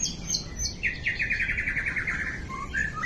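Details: White-rumped shama, a champion songbird, opens with a few high notes, then a rapid, evenly pulsed trill of about a dozen notes lasting over a second. It ends with short lower whistles.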